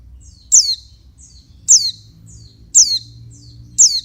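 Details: Female pleci, an oriental white-eye, calling to rouse males: four piercing high notes sweeping downward, about one per second, each preceded by a softer faint note, with a low background hum.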